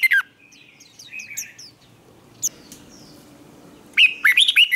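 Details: Training song of a red-whiskered bulbul in fighting style, 'twisted voice': an opening sharp note, soft high chirps from other birds in the gap, then a loud, quick series of looping warbled whistles.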